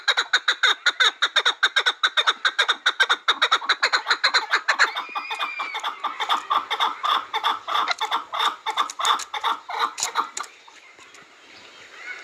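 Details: Chukar partridge pouring out a long, fast series of rasping chuk notes that slows and softens toward the end, then fades to quiet, with a brief thin whistle midway.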